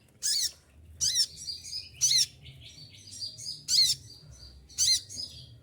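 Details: Olive-backed sunbird, feathers falling out during moult, gives five loud, sharp, high-pitched bursts, each followed by fainter thin whistles, in its tight 'shooting' style.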